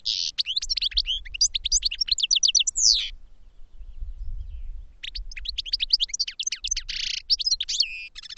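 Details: European goldfinches kept in cages for song training deliver fast, liquid twittering phrases of sweeping chirps and buzzy trills, about three seconds each, separated by a two-second pause, over a low background hum.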